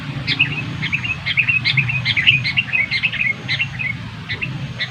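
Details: Sooty-headed bulbul calls used to lure birds to a trap: bright chirping phrases repeated in quick succession, with low rumbling background noise throughout.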